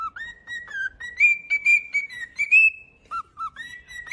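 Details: A pet cockatiel whistles its song in a series of linked notes that step upward and hold, then drops to short lower notes before whistling again.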